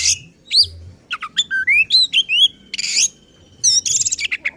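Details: Agitated oriental magpie-robin song, used to provoke other magpie-robins: a rapid string of clear rising whistles and slurred notes, broken by harsh buzzy bursts and a quick trill near the end.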